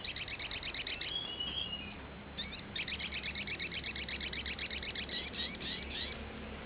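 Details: Ruby-cheeked sunbird (Chalcoparia singalensis), song.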